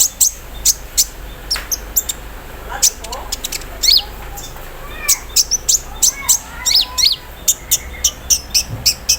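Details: Olive-backed sunbird set out in the morning air, singing an embroidery-machine mimicry filling: steady high ticks and chips, with a few lower slurred notes in the middle and a faint soft thump near the end.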